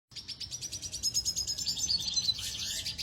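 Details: A Venezuelan red siskin sings a fast, high twittering run of buzzy chirps and trills, with a few thin rising notes near the end.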